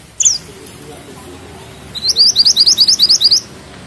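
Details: Mantenan gunung bushchat in strong song: a single sharp high downward chip, over a second of quiet, then about ten quick, evenly spaced, thin rising notes in a tight roll.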